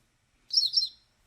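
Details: A Yellow-rumped (Myrtle) Warbler sings a slow song of distinct, full, slurred notes lasting about half a second, dropping lower at the end; nothing else is heard.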